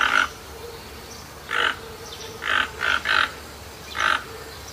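A toucan gives harsh, grating croaks in short bursts, some doubled, at an irregular pace over a soft background hum.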